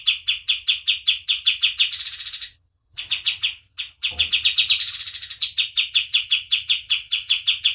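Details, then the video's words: Lively singing white-eye used as tutor material for other birds: a rapid train of bright chips with two bursts of higher buzzy trilling, and a short pause near the middle. "KAPAS TEMBAK GACOR DOR || Cocok buat masteran"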